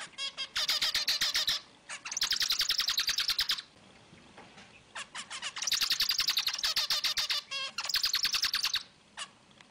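Zebra finch giving rapid bursts of buzzy, nasal chirps, delivered in quick stuttering runs with brief pauses.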